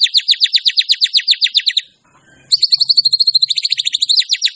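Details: White-rumped shama singing energetically, showing off its repertoire: a fast series of sharp, high, evenly repeated notes, a brief pause, then another rapid high-pitched string of notes.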